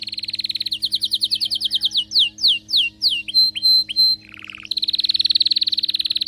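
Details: Excited canary singing: rapid buzzy trills, then a series of descending whistled sweeps, short clipped notes, a brief low rasp, and a closing fast high trill.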